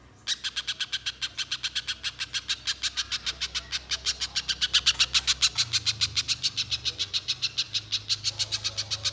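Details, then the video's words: Banana spiderhunter singing nonstop, used as a lure to provoke other spiderhunters into long singing; a rapid, unbroken run of sharp, harsh chipping notes about three or four per second, with a low steady hum underneath. "Pijantung Pisang Gacor Konslet‼️ Untuk Pancingan Pijantung Agar Bunyi Mbeset Panjang"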